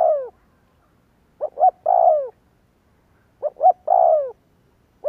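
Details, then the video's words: Spotted dove coos used to prompt doves to call back: soft paired short notes, then a fuller downward-gliding coo, repeated at a relaxed pace about every two seconds in a quiet setting. "Tiếng chim cu kích bổi Hiệu quả /Cu gáy kích bổi/ Chim cu gáy kích bổi 100% mở gáy liền"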